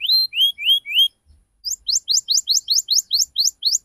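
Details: Lure sound meant to draw a response from young learning canaries, 'ngriwik cuit cuit' style: a few slurred rising whistles, a brief gap, then a rapid run of sharp high chips about four per second.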